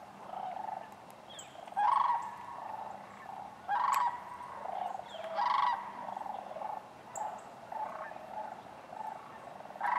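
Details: Sandhill cranes at Wheeler Wildlife Refuge in Decatur on January 12, 2013, among other waterfowl; loud, harmonically rich rolling bugles burst out roughly every two seconds over a steady chorus of distant crane calls.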